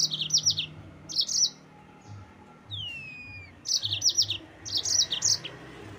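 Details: Yellow-fronted canary singing to provoke rival birds: rapid clusters of high chirps, a long downward-sliding whistle in the middle, then more chirped bursts, with faint low thumps below.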